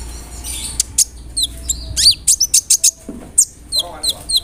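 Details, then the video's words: Sunbird, known locally as kolibri ninja, singing a rolling song with mimicked fill-ins, meant to provoke birds to sing. Scattered high tweets, then a quick sequence of sharp, evenly spaced chirps, with low background hum. "PANCINGAN SUARA BURUNG KOLIBRI NINJA (KONIN) ROLL NEMBAK, ISIAN JANGKRIK, CILILIN, GEREJA, CERR"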